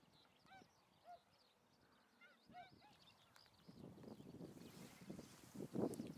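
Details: Tundra swans on the western shore of Lake Biwa, Japan, on 27 February 2020 give soft, hooting, bugle-like calls in scattered pairs and short bursts, with a low rumbling murmur of more birds building in the second half.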